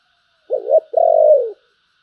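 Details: Spotted dove singing in the giọng thổ bầu voice style: one low, mellow cooing phrase, a short double-noted coo followed by a longer, steady coo that falls slightly at the end, in otherwise quiet surroundings.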